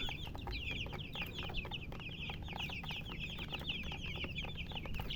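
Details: Baby chicks chirp in rapid series of sharp, falling high notes. Several birds overlap into a lively chatter over a constant low hum.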